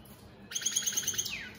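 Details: European goldfinch of the opal split Satane mutation singing: after half a second of quiet, a quick, even run of high tinkling notes, about eight per second, ends in a sliding downward slur.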